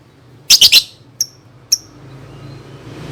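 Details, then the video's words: Lovebird song used to prompt young birds to sing: a quick triple burst of harsh, squeaky chirps, followed by two short high ticks, then quiet background hum. "SUARA BURUNG Love Bird COCOK BUAT PANCINGAN PAUD"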